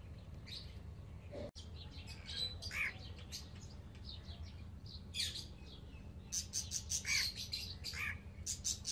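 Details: Young Alexandrine parakeets, kept as new pets, giving their baby voices: a busy run of short harsh chirps and squawks in quick bursts, growing denser and louder toward the end, over a steady low hum.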